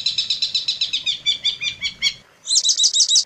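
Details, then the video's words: Long-tailed shrike master song for tutoring other shrikes: quick, scratchy, chirping phrases repeated several times a second, a brief silence, then loud, rapid looping whistles. "suara masteran burung cendet paling di cari"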